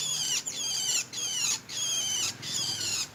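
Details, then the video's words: Long-tailed shrike giving high, thin squeaky phrases of stacked whistled notes, each phrase about half a second long and separated by brief pauses, repeated steadily through the recording with a faint low hum underneath. "Burung Cendet Manja"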